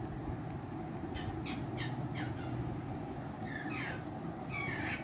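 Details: A tame Rose-ringed Parakeet, kept as a talking parrot, friendly with everyone and said to talk in Urdu and Hindi. It gives a run of short, harsh, squawky phrases with sweeping pitch, clustered in the second half, over a steady low background hum.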